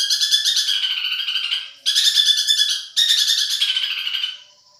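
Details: Long-tailed shrike of the Madura type, a competition songbird: three harsh, rasping, chattering bursts of one to two seconds each, scratchy, high-pitched and buzzy, with no other sounds.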